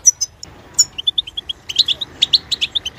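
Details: Goldfinch song opening with a few high, thin notes, then a run of evenly spaced pure chirps that builds into dense liquid twittering with buzzy, clicking accents.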